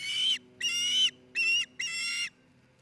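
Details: Four drawn-out, shrill whistled calls from an osprey at its Montana nest, filmed 27 June 2018 in Charlo, each note lasting about half a second with brief gaps between, over a faint low hum.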